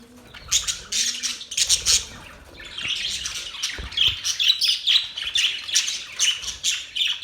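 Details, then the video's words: Budgerigar mating chatter: a few loud squawks at first, then a long, even run of fast, pulsing chirps and warbled notes. "Budgies singing | Budgies mating sounds | Budgies chirping sounds"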